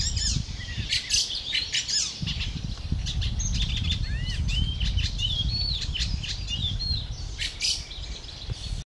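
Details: Fledgling fieldfare begging as it waits for food from the adults, 20 May 2013; continuous high chirps and curved squeaky notes throughout, with a constant low rumble underneath.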